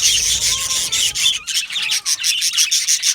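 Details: Caged yellow male budgerigars chatter together in a steady, dense stream of scratchy warbles and quick chirps, with faint sliding whistles and a brief lull midway.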